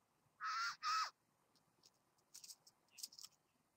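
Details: Satin bowerbird visiting a bower: two loud, harsh buzzy notes in quick succession, followed by a few fainter scratchy notes after a pause.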